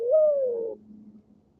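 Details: Mourning dove sitting in its nest in the morning, giving a single soft, low coo that swells and then slides slightly downward, lasting under a second, followed by faint background hum.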